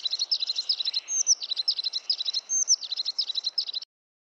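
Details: Crested tit (Lophophanes cristatus), call.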